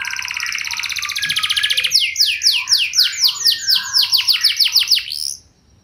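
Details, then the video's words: Canary singing to draw other canaries into answering: a dense high rattling trill for two seconds, then a quick run of loud downslurred whistles repeated about four per second, ending abruptly. "Burung Kenari Lain Bakal Langsung Nyaut! Pancingan Burung Kenari Lagu Mewah Cengkok Joss"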